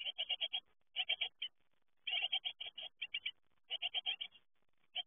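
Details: Great tit young at fledging time give bursts of four or five rapid, rasping high chirps, with brief silent gaps between the bursts.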